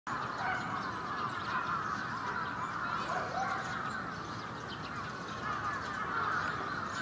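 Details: Large flock of bramblings wintering in Yoyogi Park, February 2019: a dense, unbroken wash of overlapping chattering calls from many birds, steady throughout with no single voice standing out.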